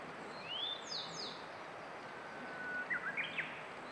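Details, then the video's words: Grey bunting song recorded in May 2022: a few thin, high whistled notes, a rising slur followed later by short chirpy phrases, over a steady background hiss. "クロジ（Grey Bunting）の囀り"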